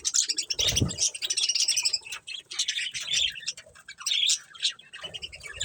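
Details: Budgies chirping together, a busy stream of squeaky, buzzy twitters and short sharp notes, with a soft low knock near the start and brief quieter gaps between bursts of chatter.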